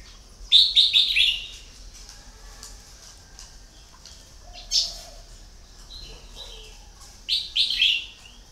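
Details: Red-whiskered bulbul kept as a decoy bird for luring, singing bright warbled phrases of three to four quick rising-falling notes, given at the start, mid-way and near the end, with soft low notes faintly behind.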